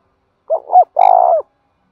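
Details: Spotted dove (cu gáy) giving a 'thúc bổi' style coo: two short hollow, wavering notes followed by a longer, sustained mellow coo, all low and soft, with no other sounds.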